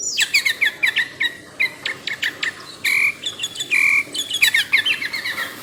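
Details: Tame sooty-headed bulbul delivering bursts of chirpy notes and a couple of steady held whistles, phrases spaced about every half second, with a hiss of insects or background noise beneath.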